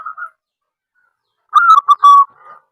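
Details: A local zebra dove calling, used to lure and stimulate other doves: a short mellow coo, a pause, then one full phrase of several rapid, slightly descending cooing notes ending in a soft trailing murmur.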